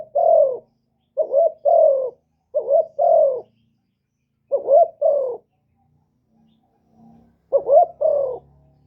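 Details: Spotted dove kept as a decoy to lure wild birds, '1 hậu' call style. Five paired coos, a short rising note and a longer falling one, with a long gap and a faint low hum behind.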